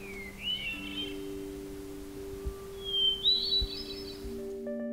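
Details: At dawn in Big Basin Redwoods State Park, coastal California, a Monterey hermit thrush sings two flutey phrases, each a clear opening note then a shimmering trill, the second higher, over soft sustained music.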